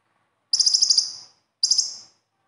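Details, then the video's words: Two short, shrill trills of rapidly repeated high notes from a konin sunbird, about a second apart, from a besetan song recording used to coax reluctant captive konin to sing. "SUARA KHAS KONIN AMPUH UNTUK PANCINGAN KONIN BAHAN"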